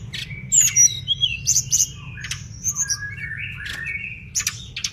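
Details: Mangrove blue flycatcher in vigorous tutor song: crisp high chips and sweet drawn-out whistles that step up and down, delivered in irregular bursts against a soft low background hiss.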